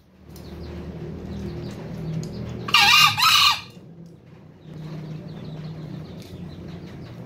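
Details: A green junglefowl kept in a farm enclosure, which crows often, gives one short, harsh two-part crow, loud and shrill, amid a low background hum and faint rustling.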